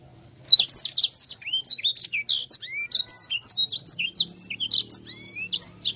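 A sanger sings a fast, unbroken stream of high, sharply slurred whistles and chirps, packed tightly together with no pauses between phrases.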